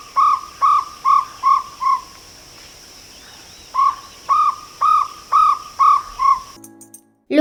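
Jungle Owlet giving a run of five hollow, mellow notes, then a pause and another run of seven, about two notes a second, dropping slightly at the end.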